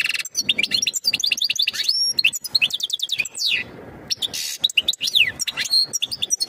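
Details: Courtship twittering of a European goldfinch preparing the female for breeding: dense bursts of sharp, liquid chirps and buzzy slurred notes, a brief hushed pause midway, then the lively chatter resumes.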